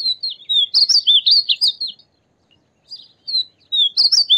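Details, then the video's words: Male-typical Painted Bunting song: a bright, rapid warbling phrase of high sweet notes, a brief pause, then another phrase. "Painted Bunting Sound"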